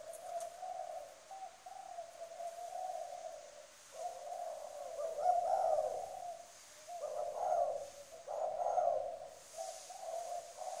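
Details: A spotted dove on a lure recording gives strong, low, mellow cooing in steady, droning phrases, with louder rolling bursts every couple of seconds, over a faint background hiss.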